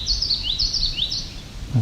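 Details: A Common Yellowthroat on a trail at Otter Lake near Cape Chin North, Ontario, Canada, on July 17, 2019, repeats a rolling high phrase three times about half a second apart over a low background rumble.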